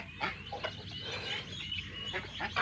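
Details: Domestic geese on a farm, having wandered off, return on their own and start eating at feeding time; short harsh honks with buzzy harmonics come in a few bursts amid a man talking steadily nearby.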